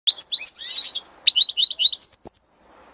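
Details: European goldfinch singing in spring: two bursts of rapid, liquid twittering, bright chirps and trills tumbling over each other, separated by a short pause, with a final thin drawn-out note.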